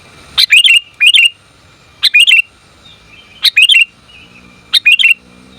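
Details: Sooty-headed bulbul female calling for the male. Short clusters of two or three bright, hooked chirps come roughly once a second, with quiet gaps between bursts and a faint low rumble underneath.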